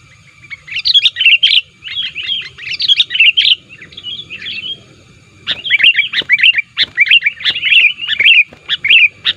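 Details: Sooty-headed bulbul lure calls, described as energetic and rival-pressing: two bouts of rapid, bubbly chirp phrases, the second longer and steadier, divided by a near-quiet pause.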